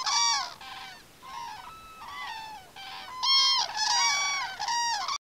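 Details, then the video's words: Common cranes at Campo Maior, several birds giving loud trumpeting, honking calls with rich overtones, in bursts that overlap and swell toward the end. "Grous em Campo Maior"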